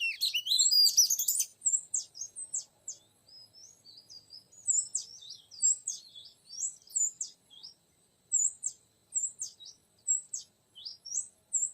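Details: Oriental magpie-robin used to lure a young wild male in the forest: an energetic tangle of notes at first, then a long series of short, varied whistled phrases with brief gaps.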